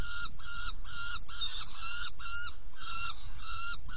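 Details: Saker falcon at a nest box during feeding, 17 June 2018 at 10:31; harsh, nasal harmonic calls repeated steadily about twice a second in even bursts, over a constant low rumbling hum.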